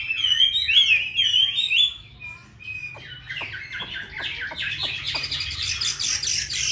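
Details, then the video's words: Fine-voiced Chinese hwamei from Hanoi opens with bright looping whistled phrases, then shifts into a rough, scratchy chatter of quick clipped notes mixed with sharp strokes. "Mi đẹp vn9966. Giọng hay"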